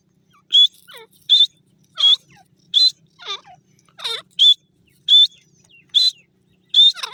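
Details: In forest, a grey francolin gives a series of piercing high notes roughly once per second, spacing slightly uneven, interleaved with softer descending squealing notes; background otherwise quiet.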